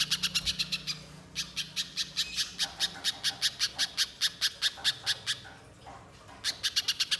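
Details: Lure song of a little spiderhunter meant to get birds singing long and loud: fast series of hard, high ticking notes, about two per second, with a short pause near the start and a longer gap near the end.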